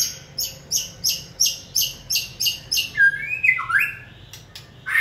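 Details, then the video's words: White-rumped shama being trained to sing on a human cue: a run of about ten evenly spaced buzzy, chattering notes, then clear whistled slurs that rise and fall. "Kỹ thuật kích thích lửa cho chim hót (shama bird)"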